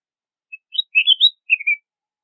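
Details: Red-whiskered bulbul singing: a short phrase of bright, slurred whistled notes, rising then falling, delivered in quick bursts over about one second on a silent background.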